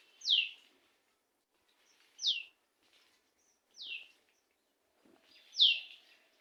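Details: Kingfisher on a neem tree, recorded at 4:47 PM on 3 June 2021, giving single piercing, high, descending calls about every one and a half seconds, four in all.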